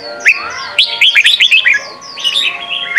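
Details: Training song for young birds from a Red-whiskered bulbul, in Sông kon style: a clear run of five or six bright, downward-slurred whistles, followed by softer, chattering notes.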